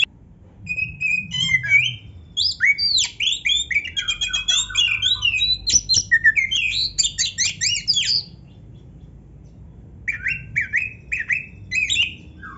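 Oriental magpie-robin in rich, varied song: rapid runs of sweet whistles, trills and harsh chattering notes, pausing briefly before another burst of whistles.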